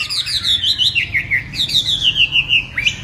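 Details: Chinese hwamei with a lively warbled song: a tumbling series of loud descending whistles, phrase after phrase in quick succession.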